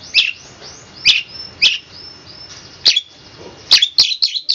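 A long-tailed shrike sings bright, high chattering bursts and sharp ringing notes, spaced about a second apart, with thin whistled slurs between them.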